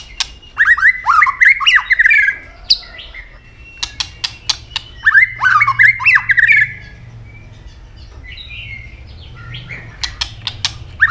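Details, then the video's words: White-rumped shama fighting song with tail snapping: bursts of rapid twisting whistles and chatter alternate with runs of loud, sharp clicks, with quieter gaps between phrases. "chòe lửa chuyền hót đấu nết đập tạch đuôi chắc,kích chòe lửa hót đấu chớm lửa"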